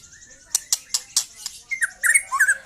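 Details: Four sharp clicking notes from a young white-rumped shama, then a short twisting run of whistled notes rising and falling.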